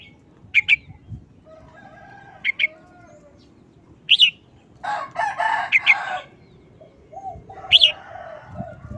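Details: Red-whiskered bulbul in short, rapid wild-style song phrases of two or three sharp whistled notes, repeated several times, with a rooster-like crow in the middle and faint low cooing behind.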